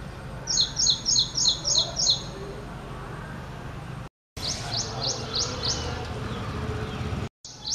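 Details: Ashy prinia (Prinia socialis) song: six quick high, sharp repeated notes at the start, then quieter, fainter repeats after brief dropouts, over steady low background noise.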